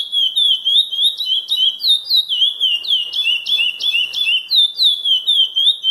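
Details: Chestnut-bellied seed finch performing the classic Praia Grande song, loud and clean: fluting whistles that slide downward then rise, strung into quick regular phrases with little background noise.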